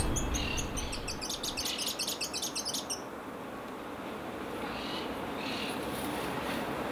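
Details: Plain-mantled tit-spinetail, archive recording from roughly 2005 to 2007: a quick burst of sharp, high, evenly spaced notes lasting about three seconds, then faint distant notes over low background noise.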